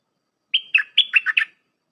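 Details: Red-whiskered bulbul song in the dense flourish style, played for tutoring hand-fed young birds: one quick phrase of six clear whistled notes, the first a level whistle, the rest dipping and warbling, on a silent background.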